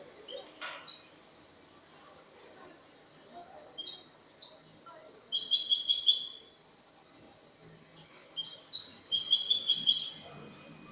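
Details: Clean-style 'cante limpio' song of a Spanish-type European goldfinch from last year, dated 22 August 2018: sparse chips and brief twitters building into two loud rolling trilled bursts about three seconds apart.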